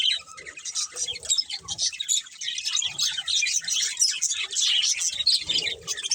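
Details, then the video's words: Budgerigars warble and chirp in a busy high chatter that starts quieter and grows louder toward the end, with faint low knocks underneath. "Cute Budgies Chirping Sounds"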